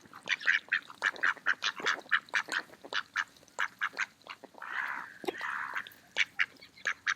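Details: Group of mallard ducks feeding in a park on an autumn day keeps up dense rapid quacking, broken by a pair of long, rasping quacks.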